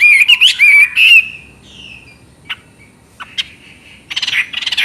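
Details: Chinese hwamei giving clear, warbling whistled phrases with rapid trills, then a pause broken by a few sharp single notes and a final burst of quick, rich repeated notes.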